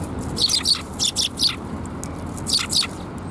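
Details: Sparrows gathering to be fed at Tenmangū shrine on 7 January 2021 utter clear, high twittering chirps in quick pairs and short clusters, with a pause midway, against low background noise.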